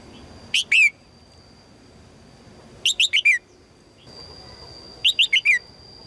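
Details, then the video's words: Female red-whiskered bulbul calling to attract a strong male: three phrases of three to four bright, quick chirped notes, each phrase ending in a longer downslurred note, spaced about two seconds apart, over a steady high electronic tone. "นกหัวจุก birds - นกตัวเมียร้องเจี๊ยก ๆ เพื่อเรียกนกตัวผู้ที่แข็งแรง"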